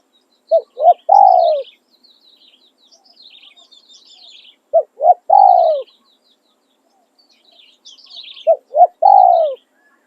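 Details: Spotted dove kept as a decoy bird for luring, giving its calling and tossing song styles: three low cooing phrases, each a short note, a hooked coo and a long falling coo, spaced about four seconds apart, with faint high chirps of other birds between.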